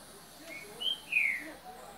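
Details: Green-winged saltator, "boca mole" song style: a brief pair of clear whistled notes, the second a longer downward slur, over a quiet background hum.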